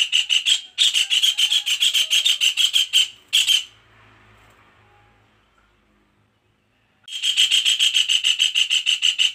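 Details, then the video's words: A kingfisher gives harsh, rasping calls in fast, steady chattering bursts, then falls silent for about three seconds before the chatter resumes. "suara kasar tengkek udang"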